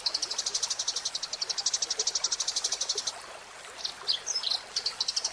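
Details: Eurasian tree sparrow in a birdkeepers' training recording: rapid, high chirps about four per second over a steady hiss like running water, then a few scattered squeaky notes.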